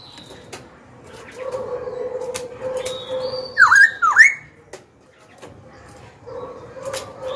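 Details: Black-throated laughingthrush, a young bird, singing to provoke rival birds and train fledglings: two loud dipping whistled notes stand out over a steady low hum and scattered clicks.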